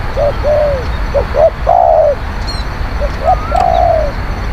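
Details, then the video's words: Spotted dove cooing, used to lure wild birds: soft clipped coos building to a long rounded coo, repeated twice over about four seconds, with an occasional high chirp and a steady low background rumble. "ต่อนกเขาใหญ่ เสียงนกเขาใหญ่"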